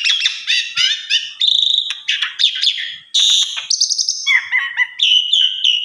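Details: Song of an Asian pied starling, presented as special material for tutoring other starlings: rapid jumble of chattering notes, squeaks and whistles, a harsh rasping burst midway, then clear sliding whistles.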